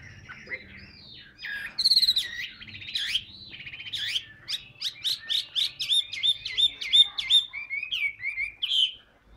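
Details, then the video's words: Large, handsome tam hoàng Hwamei in a cage, a prolific singer, delivers varied whistles building into a fast series of crisp repeated notes, nearly three a second, ending on a bright upward flourish. "tam hoàng bộ to đẹp hót rất nhiều"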